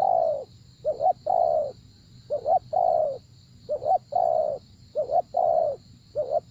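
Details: A spotted dove calls steadily in a decoy-trapping setting. Each phrase is a brisk two-note pickup and then a longer soft coo, repeated about every second, over a low hum and a steady high-pitched whine.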